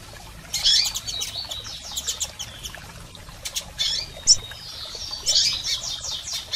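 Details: Double-collared seedeaters, females and males, calling to stimulate a male: clusters of rapid high twittering chirps and short clicks, repeated in irregular bursts over several seconds.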